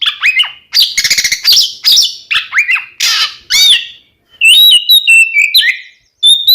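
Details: Twin Oriental magpie-robins singing a lure song meant to provoke rival birds into answering: rich, varied whistled phrases with sharp slurred notes, a rapid buzzy trill near one second, then clear high whistles after a brief pause.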